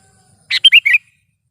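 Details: Sooty-headed bulbul used to lure birds for trapping and to tutor cage birds: a short harsh burst followed by three rolling, bubbly whistled notes in quick succession, crisp and clear.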